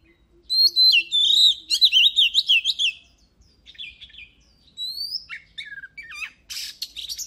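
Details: Oriental magpie-robin song used for voice training and stimulating a bird to sing: loud varied whistled phrases with sweeps and trills in a burst, a pause, then softer fragments and a buzzy rattle at the end.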